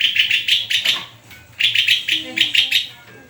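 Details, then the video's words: Murai, a white-rumped shama, in lively full song: rapid bursts of bright chattering notes repeated in quick clusters, with brief pauses between phrases and faint background hum. "SUARA INDAH BURUNG MURAI GACORRRRR!!!"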